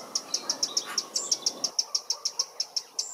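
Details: A Eurasian wren in a London park gives its alarm call on spotting a potential enemy: a rapid run of hard, high "teck" notes, about six per second, steady and insistent, with faint background hiss.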